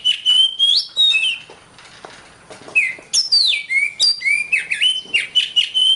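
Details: Continuous song of an Oriental magpie-robin (kacer), recorded as a long master track for songbird training: rich, fluty whistles sliding up and down, mixed with short chirps and a few rasping notes, delivered in a rapid varied stream.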